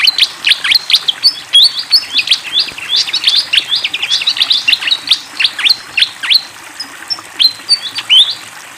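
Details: Fantail flycatcher in long, nonstop song with flowing water behind: dense streams of high chirps, quick trills and short whistled slurs, rising and falling without pause for nearly nine seconds, slightly softer toward the end.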